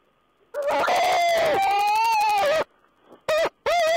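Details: Owl calling on 14 April 2010: long, strained, harmonic-rich drawn-out notes, buzzy and pulsed, slightly rising then dropping, followed by two shorter clipped bursts after a brief pause.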